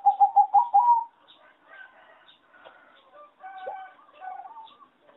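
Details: Zebra dove of a farm-bred competition singing line: a rapid burst of about five clipped coos rising at the end opens the clip. Scattered chirps and soft coos from other birds follow.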